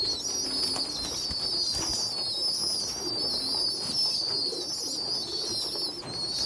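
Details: Small weak young pigeon feeding bigger, well-developed pigeon youngsters; an unbroken stream of shrill, quavering whistles with soft low coo notes beneath.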